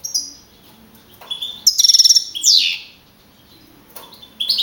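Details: Contest-winning young male European goldfinch of the field type, Navalcarnero, Madrid, 15 April 2012; a quick metallic rattle followed by a descending buzzy sweep, then silence before soft twitters resume.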